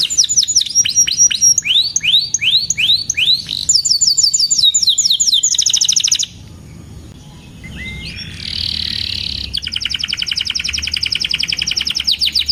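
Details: Canary in full song, used as a lure and tutor for young canaries learning to sing: fast series of downslurred whistles, then ringing trills and a buzzy rattling passage, all high-pitched and continuous.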